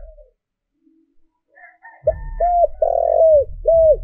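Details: Spotted dove used as a lure bird, cooing to stir up wild doves: a few faint chirps, then a loud series of short hollow coos around a long swelling central note, over low thumping background noise.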